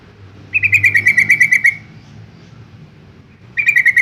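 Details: Yellow-vented bulbul from Semarang, Central Java, singing in a recording used to provoke other bulbuls to answer: a quick run of about ten bright, even chirps at a steady mid-high pitch, then a pause before the same rapid series repeats.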